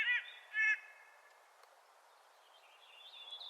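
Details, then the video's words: Clark's nutcracker in spring giving two short, rasping calls in quick succession. Faint high thin notes from another bird follow. "Clark's Nutcracker Calling in Spring"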